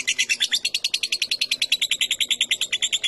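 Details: Short burst of lovebird ngetik chatter, the kind used to provoke long ngekek singing: quick, evenly spaced, piercing chattering notes, roughly eight per second, steady in pitch and loudness.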